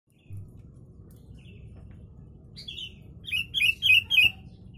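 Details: Yellow-vented bulbul song containing imitated sooty-headed bulbul phrases, used as a master recording for training birds: quiet start, then a run of bright, slurred notes over about a second and a half, low background hum throughout.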